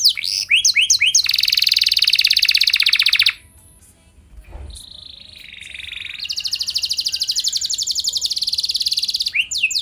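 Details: Canary singing non-stop, intended to make other canaries respond and join in: quick sweeping notes into a dense high buzzy trill, a short pause with a low thump, then a steady whistled note building into another long rapid trill.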